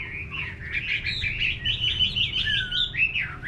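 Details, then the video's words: Continuous melodious warbling from a Chinese hwamei in a countryside garden, made of wavering whistled notes strung together without a break, over a low hum. "Nghe Chim Họa Mi Hót"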